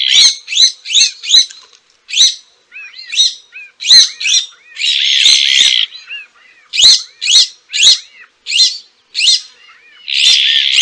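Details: Azure-winged magpie (Cyanopica cyanus) giving a rapid run of short, sharp, scratchy calls. Two drawn-out rasping buzzes break the series, with softer, curving notes between them.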